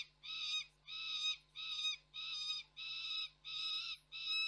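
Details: Off-frame young peregrine falcon at Koksik, Reda, 3 July 2024, screaming steadily. Seven harsh, ringing screams come at a regular pace with short gaps between them.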